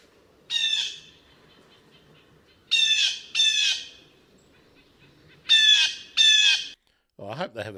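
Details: A Blue Jay recorded in Hammond Hill State Forest, Tompkins, New York, in 2014 gives harsh, squawky jay calls, five in about six seconds, some in close pairs, over a low background hum; a brief different sound ends it.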